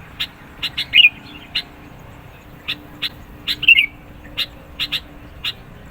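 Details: Sooty-headed bulbul song used to provoke rivals and lure birds: two loud, short whistled phrases stand out among sharp, evenly spaced clicking ticks over a quiet low hum.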